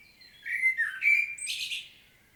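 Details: Common blackbird in Świnoujście, Poland, recorded 25 September 2022, delivering a smooth, mellow whistled warble that dips and returns, then breaks into a harsh, high, rustling twitter at the phrase end.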